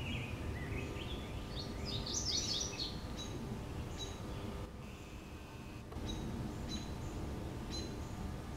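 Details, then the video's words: Male Mourning Warbler singing at the Orchard Hill Greenstrip migrant trap in Omaha, Douglas County, Nebraska, on 25 May 2015. A quick burst of rapid, rich, repeated notes is followed by scattered thin high chirps over a steady low rumble. "Mourning Warbler Song"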